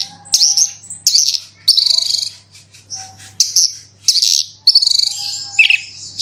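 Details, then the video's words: Singing Horsfield's bushlark used as a lure to trigger singing: loud buzzy bursts and harsh high twitters in short blocks separated by brief gaps, one descending slurred note near the end, faint low hum behind. "BRANJANGAN ANDA KURANG GACOR PANCING SUARA INI PASTI LANGSUNG IKUT BERKICAU"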